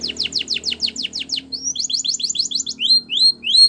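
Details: Training song of a Spanish Timbrado canary: a quick series of steep descending metallic notes, then a lighter, faster rolled phrase, and three separate upward whistled slurs to close.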